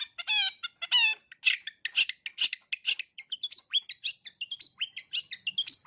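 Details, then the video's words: A long-tailed shrike works through its learned repertoire for young birds to copy, opening with rich harmonic squealing notes, then a steady string of short high chirps and rising whistles, roughly two per second. "Cendet isian lengkap, COCOK untuk CENDET MUDA belajar BUNYI"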